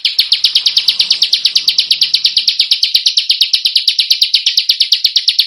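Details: Tutoring recording for Indonesian contest birds, featuring dense, rough screeching: an unbroken, metronomic stream of quick, loud, grating notes, about three per second, with faint low rumble early on.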